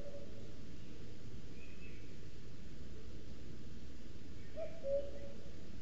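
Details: Common cuckoo, a male singing through the day to claim territory in Sierra de Guadarrama National Park forest, recorded by a webcam; a single soft two-note cu-coo near the end, otherwise steady low background rumble.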